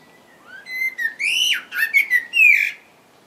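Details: Common blackbird singing: a loud, clear phrase of mellow whistled notes, rising and falling, ending in rapid twittering flourishes, in a quiet setting.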